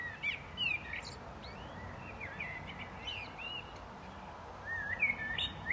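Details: Blackbird singing short, clear, whistled phrases that slide up and down, repeated with pauses between, with a steady outdoor hum behind.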